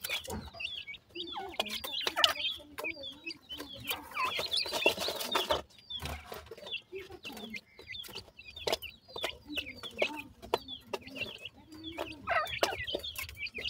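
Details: Grey francolin chicks keep up a stream of thin, high chirps in uneven bursts, broken by a stretch of scratchy rustling and sharp clicks.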